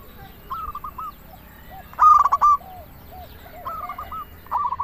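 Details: Local zebra dove (perkutut) in song, aimed at luring doves or making them sing: fainter rolling coo phrases from other doves around one loud close phrase of rapid stuttered notes.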